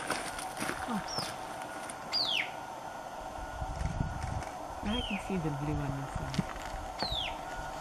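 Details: White-capped Tanager in humid montane forest at Abra Patricia, northern Peru, giving sharp, high, downslurred whistled calls, about four in eight seconds, while people talk quietly in the background.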